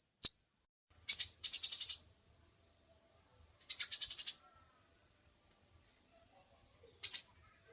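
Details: Kolibri ninja sunbird singing actively, recorded as a long master track for training other birds: sparse, very high, thin chirps, one short note and then three bursts of rapid chattering notes separated by silent gaps, with no other sounds.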